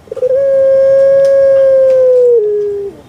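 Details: Caged puter pelung dove, a bird famous on Java, Indonesia, holding one long, even, mid-pitched note for about two seconds, then dropping to a slightly lower tone that fades out.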